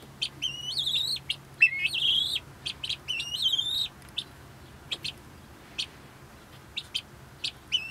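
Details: Pet helmeted guineafowl, two keeping company with a hen sitting on her nest, chatter in squeaky, strained two-part calls in quick bursts, with sharp clicky notes between.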